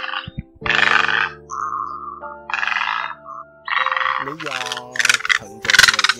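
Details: Great and intermediate egrets, males and females, calling to gather the flock: harsh, rasping croaks in bursts about a second apart, growing louder and faster toward the end, over a low steady hum.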